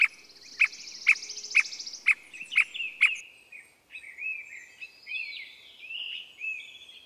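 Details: Squirrel cuckoo recorded in Costa Rica in 2021: a series of sharp, clipped notes repeated about every half second, seven in a row, over a steady high insect buzz, then softer twittering from other birds.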